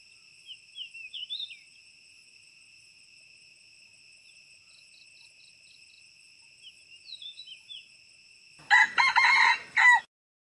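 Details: Wild red junglefowl at a pagoda near Teuk Chob Khnar Po Community Forest, Siem Reap, Cambodia, giving one loud, harsh, broken crow of about a second near the end, after steady high insect drone and scattered small bird chirps.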